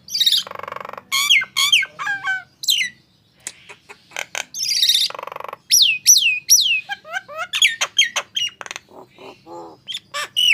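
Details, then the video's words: Song of a Nias hill myna, used to coax mute mynas into singing; harsh broadband squawks alternate with looping whistled notes that dip and rise, delivered in uneven bursts with a brief pause near the middle. "HITUNGAN DETIK, JALAK BISU JADI BUNYI"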